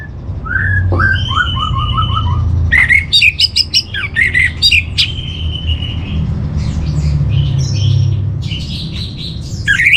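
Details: Training song of an orange-headed thrush for kept birds: a descending run of short whistles, then a dense medley of sharp chips, a held whistle and scratchy notes, over low background rumble.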